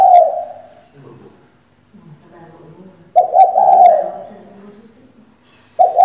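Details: Female spotted dove kept as a decoy to spur males into singing; low wavering coos, each about a second long, at the start, near three seconds and at the end, with faint softer murmurs between them.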